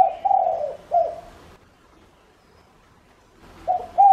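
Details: Cooing of a spotted dove kept as a lure to bring in wild doves: a short note, a long sliding coo and a clipped third, silence, then the next phrase beginning.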